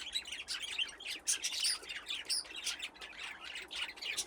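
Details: Group of budgerigars playing in an aviary fitted with nesting boxes, giving a continuous busy chatter of high scratchy chirps and short whistled notes from several birds at once.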